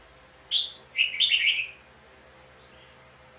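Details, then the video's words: Red-whiskered bulbul song during a fight at a trap with a decoy bird: a single clear whistled note followed by a brief warbling run of liquid chirps, then quiet. "chào mào cực đẹp hót cực hay đánh nhau cực khủng"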